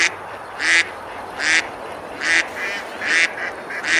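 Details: On a river in Besalú, Girona, Spain, on a summer day, ducks eat and splash; five or six raspy quacks repeat at steady intervals against continuous water noise.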